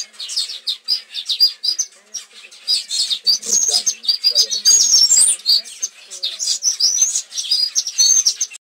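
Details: Non-breeding paradise whydahs give a steady stream of high, sharp chirps and twitters that overlap as if from several birds, with faint low voices behind.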